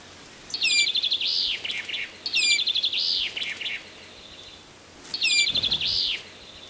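Azores bullfinch giving three high phrases, roughly every two seconds, each a quick run of falling notes, a stuttering series and a slurred whistle, over faint background hiss.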